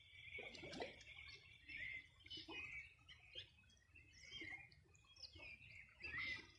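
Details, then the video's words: Birds singing along the Río Bueno banks in the Los Ríos Region on a summer morning in 2020. Rapid chirps and whistles from several birds overlap, loudest at the start and end, with faint lower calls beneath. "Sonido de las aves a orilla del Rio Bueno"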